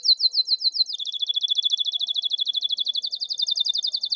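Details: Canary singing, used as a lesson for quiet young canaries: a few swooping high notes give way to a long, fast, steady trill of clipped repeated notes, clean with no background noise.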